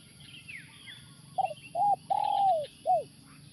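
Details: Spotted dove kept as a live decoy at a factory site to attract wild doves gives a soft, hollow coo phrase: two short notes, a long level coo, then a short closing note, with faint chirping birds behind.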